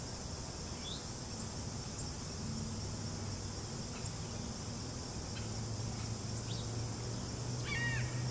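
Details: One of two red-shouldered hawks perched in a tall tree, calling extensively: a few faint high notes, then one clearer harsh, downslurred "kee-ah" near the end, over a steady low rumble of wind or distant traffic.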